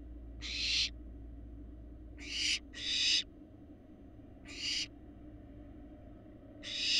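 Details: Barn owl fledglings, large and resembling their parents, in a nest box in Florida: harsh, broadband hissing screeches, each about half a second long, repeated irregularly with steady low hum beneath.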